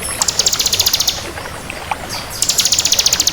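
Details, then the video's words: Bar-winged prinia of the crystal variety singing energetically: two bursts of very high, fast, evenly pulsed rattling trill, each lasting about a second, separated by a pause, with constant hiss behind. "Suara Burung Ciblek Kristal Gacor"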